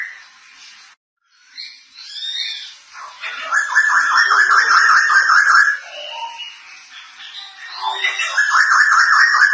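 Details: White-crested laughingthrush of the Thailand variety, kept as a songbird, in full song with ngekek cackling: harsh, rapid chattering notes repeated about two to three per second, rising in loud bursts with brief pauses.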